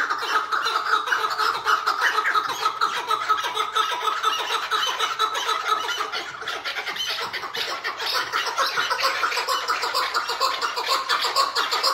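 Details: Captive tied Chukar partridge in hıngırma, a harsh, fast pulsing chatter repeated about twice a second without pause, loud and unbroken from start to finish.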